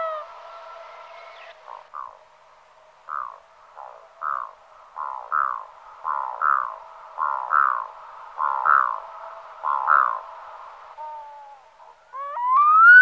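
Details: Black-throated loon (Gavia arctica), call.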